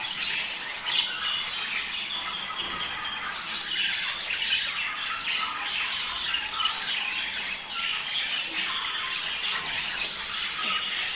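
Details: A budgerigar chorus used to prompt mating: steady, crowded twittering and rasping notes that never pause, with a few sharper high chirps standing out near the start and end.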